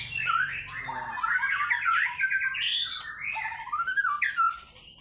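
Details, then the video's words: White-rumped shama, fighter-style singing: warbling, wavering phrases mid-pitched and continuous, slurred rising and falling notes with some scratchy elements. "MURAI BATU GACOR FIGHTER BONGKAR ISIAN"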